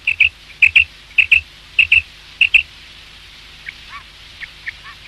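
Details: Male quail (batair), a call recording meant for hunting: crisp high notes in close pairs, repeated about every half second five times, then faint, softer downslurred chirps in a quiet setting.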